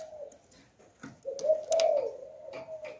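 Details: A lure spotted dove in 'Hạp Bổi' voice gives a steady low coo that swells into a louder burred note, while small clicks and a tap sound around it.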